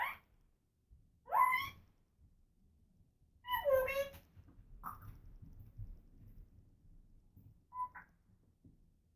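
An African grey parrot gives a few voice-like utterances: a rising, nasal swoop, then a longer falling phrase, and two short clipped notes, with pauses between in a quiet room.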